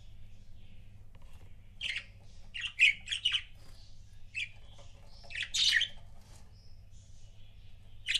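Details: Pet budgerigar couple indoors chirping: scattered short buzzy chirps and squawks, loudest in bursts around two and five and a half seconds, with quiet gaps between.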